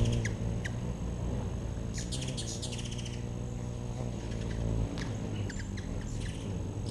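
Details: Hummingbirds visiting a backyard feeder in September 2013 make bursts of rapid, high, dry twittering chips separated by short gaps, with scattered single ticks and a low steady hum behind.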